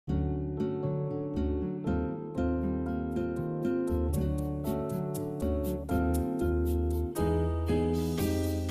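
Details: Plucked string music with harp-like notes over a steady low bass line and no animal voices.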